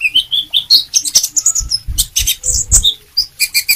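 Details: Sunbird in full lively song: rising thin whistled notes, then rapid high chips and trills running together, with soft tapping and rustle in the background.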